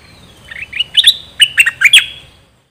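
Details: Chattering phrase from a bulbul kept as a decoy bird, one of three. Loose clusters of bright, bubbling chirps swell and then end abruptly, with a faint low rumble underneath.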